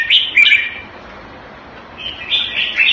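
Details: In Singapore, a caged red-whiskered bulbul kept in the Thai manner, February 2018: a quick burst of high slurred notes, a pause, then a longer bright warbling phrase.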